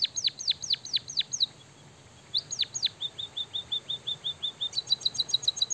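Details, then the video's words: Kept white-headed munia delivering its canary-mimicking song: falling whistled swoops, a brief silence, more swoops running into a series of level high notes, then quick high ticking at the end. "burung emprit kaji gacor isian suara kenari"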